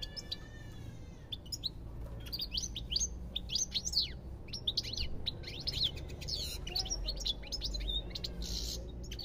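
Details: European goldfinch song opening with a nasal, drawn-out note, then long, tumbling twittering with rapid chirps and trills throughout, over low background rumble.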